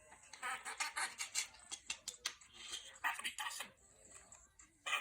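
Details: On a New Year's morning, a talking pet budgerigar chatters in quick, scratchy bursts mixed with high squeaks and trills.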